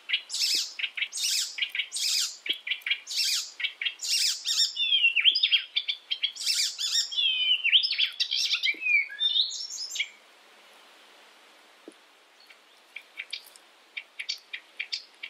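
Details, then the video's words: An icterine warbler, a European species, used as a master song for training birds, delivers a fast, varied jumble of high chattering notes, sharp chips and bright whistled slurs, strong for ten seconds, then trailing into softer scattered phrases. "masteran Burung || icterine werbler burung kapasan"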